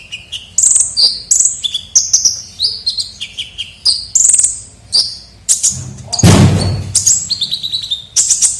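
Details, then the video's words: Lure recording of a kolibri ninja sunbird in full voice. Repeated slurred whistles and chirps carry on steadily, broken once by a loud, rushing, broadband noise lasting about a second. "pikat suara burung kolibri ninja gacor"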